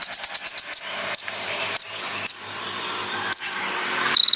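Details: Konin singing vigorously with a full repertoire of rapid-fire phrases: a fast burst of sharp, high chirps, then single piercing notes spaced about half a second to a second apart, ending in another quick chirping burst.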